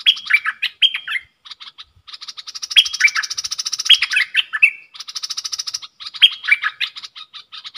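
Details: Caged bulbul used as a decoy in a song duel with wild birds, dated 03/10/2564 in the Thai calendar. Warbled whistle phrases repeat over a steady, rapid, buzzy high pulsing sound that runs through much of the recording.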